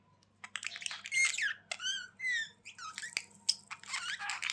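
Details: Budgerigar sounds meant to cheer lonely pet birds: quick chirps and warbling chatter, with short up-and-down whistled notes and clicks packed closely together, bright and high, indoors with a faint low hum behind.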